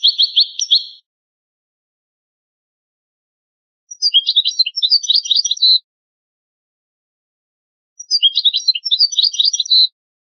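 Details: Old recording of European goldfinch song: a short trilled burst, then two longer twittering phrases of quick, tinkling, high notes roughly every four seconds, with silent gaps between and no other sounds.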